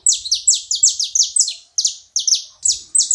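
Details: Saffron finches chirping together: a nonstop stream of loud, high, downslurred notes, often doubled as birds overlap, repeated several times a second with almost no background sound.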